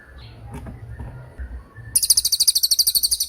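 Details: Cililin singing a rapid-fire 'tembakan' style burst, offered as a training recording for magpie robins and other songbirds: after low background rumble, a fast, very high, sharp trill of evenly repeated notes runs about one and a half seconds.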